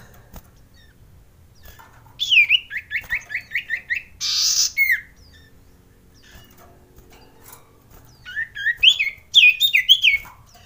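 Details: Mating male common iora, offered as a provoking lure for birds reluctant to sing: two bursts of quick, sharply descending whistled notes, about eight in a row, separated by a pause and one buzzy rasp.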